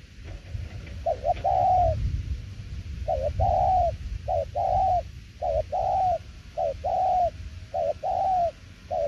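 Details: After a muffled rumbling start, a spotted dove gives 'đồng tiểu liên nước' cooing: pairs of short and longer low notes, spaced out with pauses between the groups.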